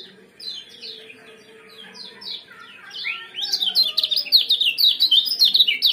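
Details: Common Iora, locally kecial kuning, in a powerful 'ciak jos' combination meant to trigger breeding condition: spaced high downslurred chirps building into a fast, loud, tightly packed chirping stream.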